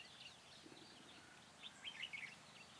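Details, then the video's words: Trapping decoy red-whiskered bulbul, 4 February 2017, singing to attract and fight wild birds: a short, bright burst of whistled warbling notes near the end, over soft background chatter of other birds. "Bẫy chào mào Mào lân dài đòn ché"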